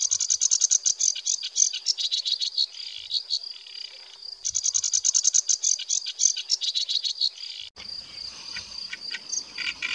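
Sedge warbler song: a fast, chattering stream of high, scratchy trills and buzzy notes in long bursts, with a short pause between phrases.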